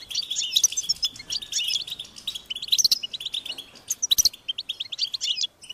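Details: Hungry European goldfinch chicks calling to be fed, a high insistent begging that helps parents locate them; bursts of quick sharp tweets with thin bright overtones, pausing briefly between volleys.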